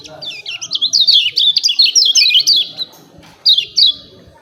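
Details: Lemon-bellied white-eye giving "ciak ciak" calls, used as training audio to provoke birds to sing: a fast string of high, sharply down-slurred chirps for nearly three seconds, a pause, then two more chirps.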